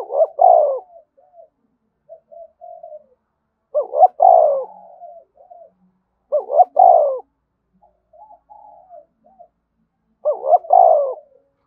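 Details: Spotted dove in energetic 'thúc bổi' cooing, four phrases about every three seconds, each two sharp short notes and a drawn-out coo, with soft murmured notes between.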